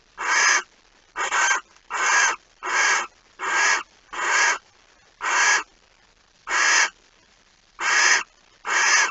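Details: Rough, hissing shrieks from a barn owl at the nest when a mouse is brought in, 05:14, 26 August 2019. There are about eleven short bursts, with uneven spacing and a longer pause midway.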